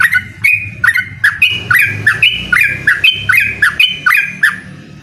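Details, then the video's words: Yellow-vented bulbul in vigorous song challenging a rival, giving rapid bubbly chirping phrases of bright notes jumping up and down, repeated over a second or so each, with low background hum. "suara burung trucukan gacor mengajak lawan adu ropel"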